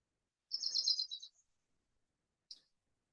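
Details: A Cerulean Warbler, a declining treetop species found near the Twin Cities, Minnesota, gives its distinct call: a high, buzzy run of rapid notes lasting under a second, then one short high note after a pause.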